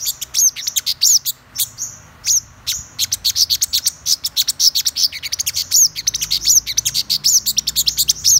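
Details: High-pitched song of a black-throated sunbird: rapid strings of thin, clicking chirps mixed with brief piercing upslurred whistles, delivered in quick bursts with tiny gaps, background otherwise quiet.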